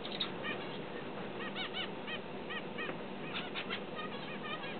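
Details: Hand-tamed finch practising its song, giving brief arched chirps in small clusters, a few per second, with a denser group of notes near three and a half seconds and a constant low hiss behind.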